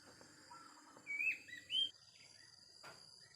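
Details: A wild Oriental magpie-robin gives two clear, short whistled notes, the second rising higher, then falls quiet. A steady high insect-like hiss continues.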